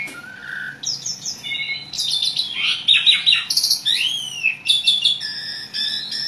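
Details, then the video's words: An Asian pied starling sings a busy, varied chatter: a short low whistle, then clustered squeaky notes, rising and falling slurred whistles, and steady high tones near the end. "jalak suren gacor ngoceh banyak isian"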